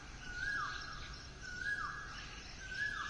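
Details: Asian koel calling in the morning: three clear, fairly distant whistled notes, each ending in a quick downward slur, spaced about a second apart over steady background hiss and faint insect noise.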